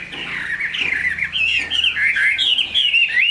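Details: Chinese hwamei, a big purebred cage bird, delivers short wavering whistles that grow clearer and louder, a sequence of quick slurred notes over a steady low hum.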